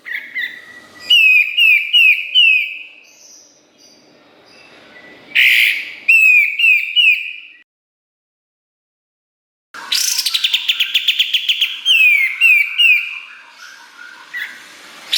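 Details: Kapas tembak master song for training songbirds: clear, slightly falling whistled notes with bright chattering overtones, in bursts separated by pauses, plus one long, dense, rapid trilled phrase.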